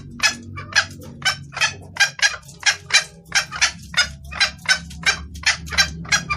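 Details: Female red junglefowl calling the male, clear-voiced and suited to luring males: a long, rapid string of grating clucks, some doubled, keeping up an even chattering pace throughout.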